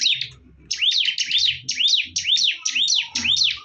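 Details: Bar-winged prinia in a fierce fight, singing rapid repeated high whistled phrases, each sweeping down then up, about two per second after a brief quiet start, with faint low thumps beneath.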